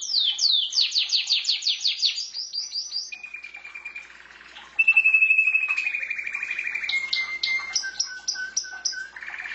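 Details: Domestic canary in full song: a run of loud, fast downslurred notes, then several buzzy trills at different pitches, each held steady, with a brief pause midway.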